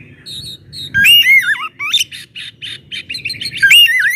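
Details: Oriental magpie-robin (kacer) giving the loud 'ngeplong' song meant to provoke rivals into singing; a few soft notes, then loud wavering whistles that dip and rise, followed by buzzy repeated chips.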